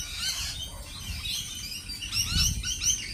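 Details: Lorikeets give scattered squeaky chirps and short screechy notes at moderate loudness, busier toward the end, with low rumbling background noise throughout.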